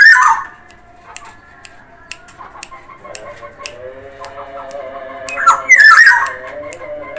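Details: Black-naped oriole of Sumbawa, actively calling: a short raspy note at the start and a louder harsh, nasal phrase near the end, with steady clicks and low hum in between.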